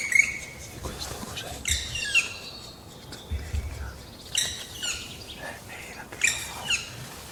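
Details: Black woodpecker pair tending juveniles not yet strong enough to leave the nest in a Trentino forest, Italy, late spring: harsh, high, squeaky bursts with thin whistled notes roughly every two seconds over quiet woodland.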